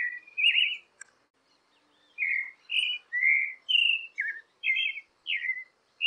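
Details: Creamy-bellied thrush song used to encourage caged birds to sing: an opening warble, a sharp click, a short silence, then a steady string of about eight fluty, slurred phrases.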